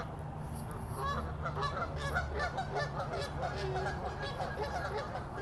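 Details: Canada geese in a group fight, with continuous loud, nasal honking from several birds at once over a constant low-pitched hum.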